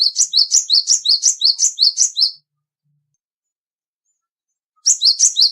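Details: Cinereous tit, small and agile with fairly loud voice, delivering a steady string of sharp, high double notes for over two seconds, a long silence, then the same rhythmic notes resuming.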